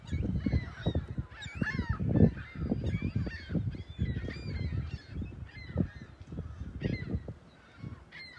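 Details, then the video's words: Morning gulls on South Beach, South Haven, looking out at the lighthouse and pier on Sunday, March 21st, 2021. Many overlapping squealing, bending calls rise and fall over a heavy low roar of waves. "Morning Sounds of Big Blue & Seagulls"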